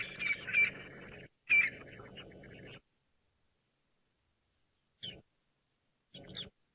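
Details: Francolins give a genuine territorial call after sunrise at about 8 AM on 15 April 2018 in Djuma Game Reserve, Sabi Sand, South Africa, as the sun warms things up. Harsh, grating bursts of about a second, then shorter ones; crested barbets call behind.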